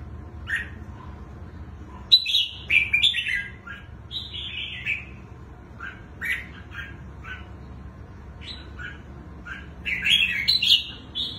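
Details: Red-whiskered bulbul, a wild-caught adult with a large, long body, sings its twisting song. Loud, descending whistled phrases mix with short chirps scattered through the passage, and a rapid burst of notes comes near the end.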